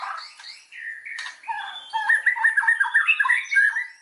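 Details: White-rumped shama singing as a lure to rouse other shamas; harsh squawky notes lead into a fast chattering, stuttering run of mid-pitched warbles.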